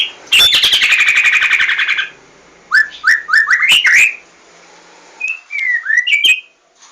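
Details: White-rumped shama song: a rapid buzzy trill, then a run of bright slurred whistles rising and falling, a pause, and a few more fluty descending notes, loud and clear with no other sounds.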